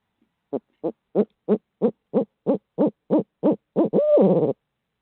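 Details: Midtown Tulsa barred owl from a live feed: eleven quick, evenly spaced hoots build in loudness, about three per second, finishing with a long, drawn-out, downward-sliding hoo-aw note.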